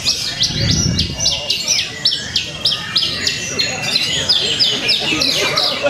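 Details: Javan bush lark at a Purwakarta songbird contest on 2 February 2020, pouring out quick series of sharp down-slurred high notes, about three per second, over a low rumble and distant voices.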